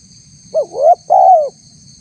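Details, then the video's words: Single spotted dove phrase used as a lure for wild doves, tagged as a female calling a male: a brief coo, a slowly rising coo and a long, gently falling coo, with a constant high tone and faint low hum. "suara tekukur PALING DI CARI untuk memancing respon tekukur liar"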